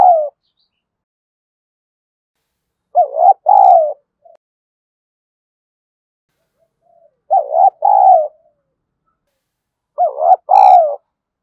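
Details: Spotted dove acting as a fighting decoy, giving repeated mellow coos: a brief trembling note then a longer rounded one, four phrases spaced three to four seconds apart, no other sounds.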